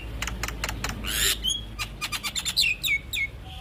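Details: A master recording of Javan myna song meant to draw out young birds: rapid dry clicks, a loud rasping burst, then a run of short falling whistles.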